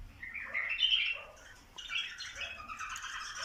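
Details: Bulbuls encouraged to mate: bright chirping and tweeting phrases, a loud warbled burst first, then a second run of mixed high notes.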